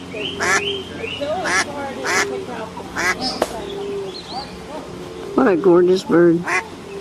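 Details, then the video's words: Swimming ducks with ducklings on a pond give a run of harsh, nasal quacks. A burst of several rapid quacks comes near the end, over steady musical tones and some human voices. "The sound of ducks - ducklings in the pond - swimming ducks"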